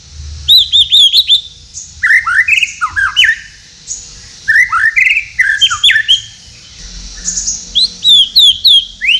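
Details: Night singing of a captive-bred white-rumped shama from Tasikmalaya, varied and fast: high arched whistles, downward-swooping phrases and squawky notes in quick bursts, pausing briefly midway, with a low steady hum beneath.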